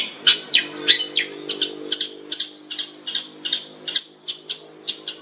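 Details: Long-tailed shrike (cendet), described as fierce and rich-voiced, singing steady rows of bright, high, scratchy chirps at a brisk even pace, with a faint low hum beneath.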